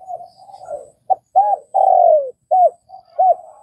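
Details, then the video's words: Vietnamese spotted dove giving soft murmuring notes, then clipped arched hoots, a long falling coo and two more short rounded hoots, all mellow and mid-low pitched. "Tiếng cu gáy Việt"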